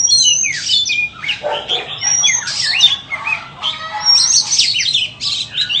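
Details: White-rumped shama offered for sale, singing a rich, varied song of high whistled phrases and quick rising and falling notes, broken by short pauses, with one lower harsh note near the middle.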